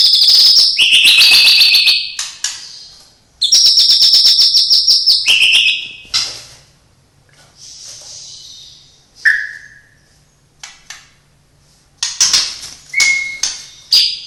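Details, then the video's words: Recorder's own white-rumped shama with isian song copying cililin, sparrow, lovebird and canary: loud high whistled and trilled phrases, a quieter middle with soft notes and a single slurred call, then renewed bursts of sharp whistles. "Murai batu isian cililin greja tarung love bird kenari"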